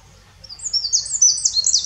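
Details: Eurasian wren singing in the Eifel, Germany: a short fragment of high, bright song enters after a quiet start, with quick twittering notes that quicken and get louder toward the end.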